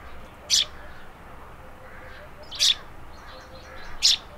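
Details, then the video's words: Eurasian tree sparrow calling: three short, high, sharp chirps spaced about one and a half to two seconds apart, with faint softer twitters between them over quiet background noise. "Vogelstimmen: Der Feldsperling - Tree sparrow - Passer montanus"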